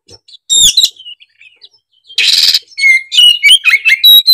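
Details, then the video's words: Oriental magpie-robin (kacer), a keen bird singing emotionally with varied mimicked phrases: high clear whistles, a harsh burst of rasping noise, then quick rising and falling whistled notes and chatters in rapid succession. "Kicauan kacer gacor emosi bongkar isian"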